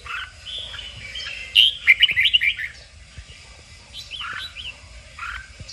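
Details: Red-whiskered bulbul in a song-training recording aimed at stirring a bird to sing competitively: a soft opening warble, a loud rapid run of bright clipped whistles, then quieter scattered phrases.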